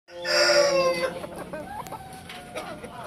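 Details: Chickens on a farm keeping hens ready for release. A loud, harmonic, crow-like call lasts about a second, then fades into soft scattered clucks over steady background noise.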